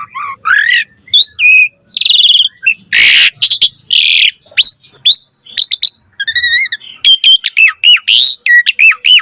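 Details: Asian pied starling singing energetically in a full-variation 'gacor mompa' style for training birds: squeaky whistles, a loud grating rasp, then wavering warbles and crisp repeated chirps.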